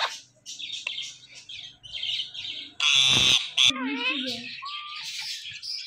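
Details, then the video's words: Indian ringneck parakeet, a talking parrot, giving high chattering and squawky calls with a loud harsh burst near the middle, then warbling and whistled slurred notes; faint human voices underneath. "Indian Ringneck Parrot Natural Sounds"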